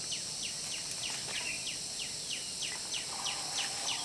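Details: Puff-throated babblers, also called spotted babblers, feeding their hungry young: rapid series of short, high, downward-sweeping chirps, about two to three per second, over a steady high insect hum.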